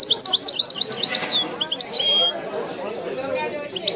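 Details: European goldfinch, Wedani-style song: a fast run of bright, high chirping notes ending in a drawn-out whistle, then quieter twitters over a low background murmur.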